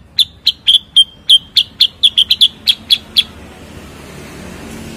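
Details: Rapid series of a dozen loud, snappy chips, roughly four per second for three seconds, from a bulbul called cucak kurincang or kutilang sutra, followed by quiet background noise.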